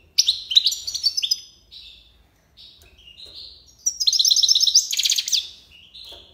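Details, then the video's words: European goldfinch from Algeria delivering tiwawati song: an opening burst of jangling twitters, a softer pause, then a dense buzzy trill of fast repeated notes before trailing chirps. "مقنين تيواوطي"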